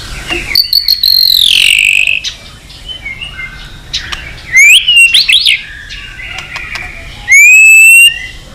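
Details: Multi-voiced white-rumped shama song meant to excite shamas into singing: long pure whistles sliding downward, separated by pauses, then quick high twisting phrases and a bright rising whistle near the end.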